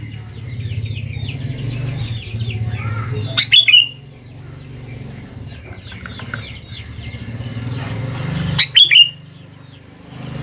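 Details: Sooty-headed bulbul lure song intended to make young birds reply: two short, punchy, bubbling phrases about five seconds apart over continuous faint chirping and a low hum.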